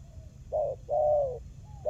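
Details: Spotted dove call used as a trapping lure to make silent doves answer: a short low coo followed by a longer, slightly falling coo, then the start of another note.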